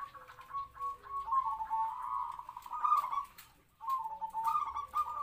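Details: Local zebra dove raised in captivity as a trapping decoy, voice medium-pitched, doing kwor kwor; a long rolling, vibrating coo runs for two seconds, then after a pause softer cooing notes resume.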